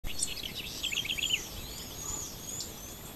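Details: House wren singing at dawn: a quick burst of high, bubbling trilled notes over the first second and a half, then faint thin whistles, all over steady background hiss.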